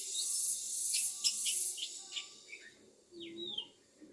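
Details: Oriental magpie-robin singing during a sunbathing session: a burst of sharp, high chirps and short whistled notes, dense at first and then thinning into separate rising and falling whistles.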